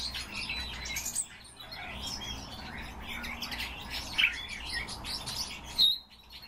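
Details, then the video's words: Pet common starling (Sturnus vulgaris), a male, singing a busy jumble of chattering, scratchy notes and squeaky whistles, with two louder sharp clicks near the end, encouraged by its owner. "Sturnus vulgaris- СКВОРЕЦ"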